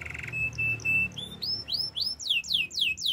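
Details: Canary training song: a short steady high whistled note repeated a few times, then a fast series of high, downward-sweeping notes repeated several times per second, over a rough low background noise.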